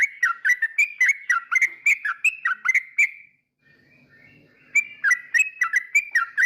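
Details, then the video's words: Yellow-vented bulbul delivering a rapid string of clear whistled notes, each dipping then rising, for about three seconds, a short quiet gap with faint low rumble, then the same lively whistling series resumes. "Suara Trucukan bikin emosi lawan || Burung Trucukan 2024"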